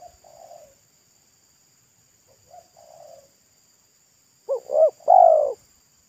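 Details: Local wild spotted dove of pesom style by the roadside: two soft, low two-part coos, then a loud phrase of two quick rising notes and a drawn-out falling coo.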